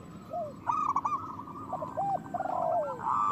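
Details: Zebra dove, local kind, whose song serves to stimulate other doves to sing and breed: rapid clipped cooing notes gathering into a dense overlapping run, lower arched coos beneath.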